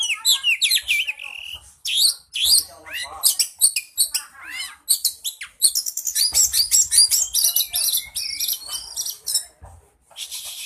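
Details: Oriental magpie-robin singing to incite a caged bird: fast, varied, scratchy and whistled notes tumbling in irregular bursts, about two to three per second, with brief pauses.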